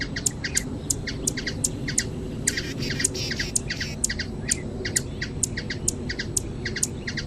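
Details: Brazilian hummingbird producing a continuous stream of thin, high-pitched chips, closely spaced and fairly even in rhythm, with a brief burst of noise midway and a low rumble underneath.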